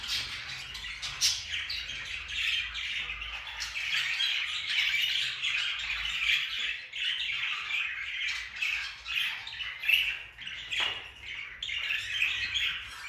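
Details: Budgerigar (Melopsittacus undulatus) flock in a budgie production hall in Turkey: many birds chattering together in a dense, continuous wash of chirps and squawks.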